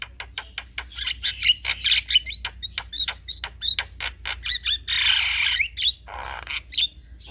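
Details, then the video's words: Male Javan myna lure song: a busy stream of clicks and harsh chatter, a loud drawn-out grating squawk, then a lower rasping note and a few closing chips. "Ocehan Jalak Kebo Jantan Ini Pasti Langsung Respon"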